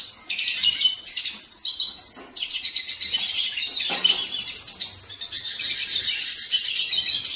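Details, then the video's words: Hooded siskin, called cabecita negra, singing a rapid, high twittering warble that mixes sharp chirps, rattling trills and steadier buzzy passages, running continuously throughout with a faint low background hum. "Hooded siskin song"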